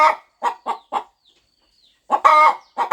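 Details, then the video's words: Mother hen on her farm nest before eggs hatch; three soft clucks, a faint thin whistle, then a loud prolonged rasping cackle and two more clucks. "Hen Clucking Sound Effect! Mother Hen Gets Ready to Hatch Her Eggs"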